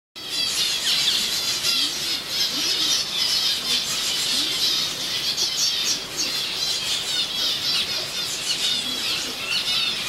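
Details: A dense chorus of zebra finches gathered on a tree gives constant nasal, toy-trumpet beeps and chatter, with many birds calling over one another without pause.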